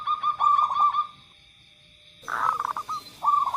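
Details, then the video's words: Zebra dove song for prompting doves that seldom sing: a wavering coo phrase of quick pulsed notes, then a gap after an abrupt cut, then more stuttering notes and a short coo. A faint steady whine stays in the background. "suara pemancing Perkutut yang Males Bunyi"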